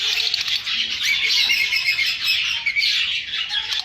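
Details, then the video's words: Lovebirds singing and chirping together, a busy stream of sharp squeaks and short twittering notes from several birds at once, loud and unbroken throughout. "Love birds singing & chirping sounds"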